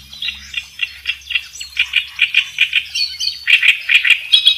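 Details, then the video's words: Kerak besi singing vigorously, a master recording for training songbirds: repeated short, bright chirps at a quick, uneven pace, with a few higher squeaky notes and rising loudness near the end. "suara burung kerakbesi gacor buat masteran"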